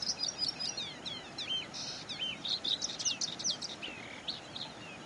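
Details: Skylark at Zhushan, Taiwan, recorded 23–24 May 2011, pours out a fast, unbroken stream of high chirps, trills and slurred whistles, with faint background noise.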